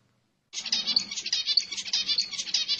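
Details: Zebra finch singing to stimulate females to breed: silence, then a steady burst of nasal, buzzing syllables rapidly repeated, bright and high, continuing for over two seconds.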